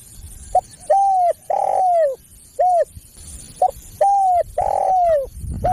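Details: Spotted dove (tekukur) calling, used to lure other doves: soft, mellow coos in a short-long-long pattern, each long coo gently arching then falling, the phrase given twice over a faint steady hiss.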